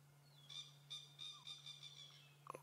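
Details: Unseen francolin, possibly in a tree, calling near a vehicle on a morning sunrise drive after rain on 22 October 2016; a fast series of harsh, scratchy high notes, about three per second, over a steady low engine hum.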